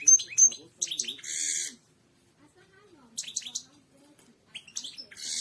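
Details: European goldfinch singing the royal style for tutoring other birds: quick high chirps and trills, then a harsh buzzy burst, a pause of over a second, and a further run of twitters ending in another buzz.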